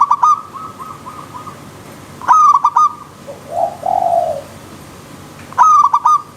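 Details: Zebra dove in the wild giving its song, a bright, rapid run of short clipped coo notes, then a pause filled by a softer, lower, smoothly swelling coo, before the staccato phrase returns.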